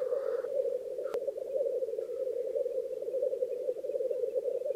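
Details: Black grouse lekking in Krasny Bor, Russia, with females present, at the most intense phase of display: a steady, dense bubbling coo that runs throughout, with one short hiss at the start and a faint click.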